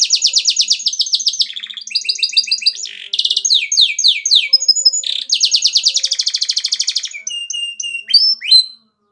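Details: Canary in energetic song: long rapid trills, bursts of descending sweeps, steady pulsed rattles and short pure whistled notes follow one another almost without pause, ending in brief silence.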